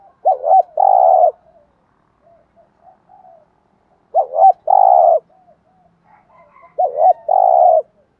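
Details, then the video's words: Spotted dove calling in the thúc gù style used to draw wild doves into calling back: three phrases about three seconds apart, each two short rounded coos then a longer buzzy note, with faint soft notes between. "cu gáy thúc gù"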